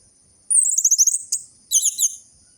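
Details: Orange-headed thrush, audio for coaxing quiet caged birds: a rapid high trilled series of descending notes, a brief click, then a second tangled high twittering burst.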